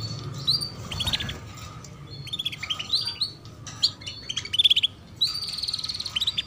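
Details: Chirping female canary, played to coax young birds into song; clusters of crisp, high, piping chirps repeat in irregular bursts through the clip, ending in a thin sustained twitter, with a low hum beneath.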